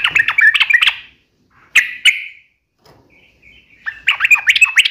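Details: Sooty-headed bulbul singing in the gacor style with uplik and nembak ropel phrases: rapid bursts of bright chirping notes, then two sharp strong notes and a short quiet gap before another fast chattering run.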